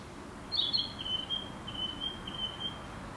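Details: Narcissus flycatcher singing: a thin, high, wavering whistled trill that starts with a sharp note and then runs on steadily for more than two seconds, over a quiet background hiss.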